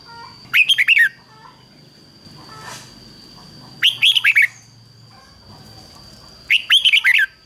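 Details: Decoy red-whiskered bulbul calling to draw in wild birds: three short bursts of rapid, bright whistled notes, each phrase of about five notes, repeated roughly every three seconds over a low, steady background hum.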